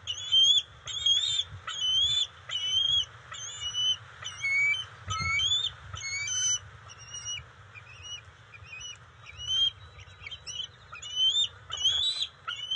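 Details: During a fish delivery to eaglets at the NCTC bald eagle nest on June 27, 2021, high thin whistled notes repeat in clustered groups roughly every second for the whole stretch, over low background rumble.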